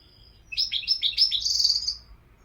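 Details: A European goldfinch gives one quick, high twittering phrase of tumbling chirps that ends in a slightly buzzy trill, set against a quiet background.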